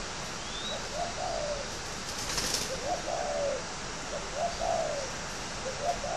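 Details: A captive fighting spotted dove from a bird garden near Ba Vì, Hanoi, Vietnam, coos in a run of low phrases, short pick-up notes then a sagging drawn coo, with a brief rustle and hiss.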